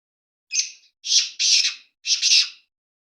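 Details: Black francolin calling: four harsh, rasping high-pitched bursts in about two seconds, one short note followed by three longer grating ones, with silence around them.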